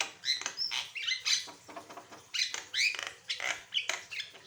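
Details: Asian pied starling singing vigorously in a varied song used to train and prompt other birds: harsh squawks alternate with bright whistled slurs and short chatter, in bursts roughly every half second.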